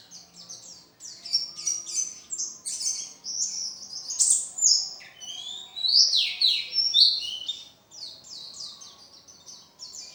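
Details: Pleci, an Oriental white-eye prepared for the contest pole, singing energetically: ten seconds of fast, high-pitched twittering with clustered sharp chirps, louder bursts near the middle and a few swooping notes.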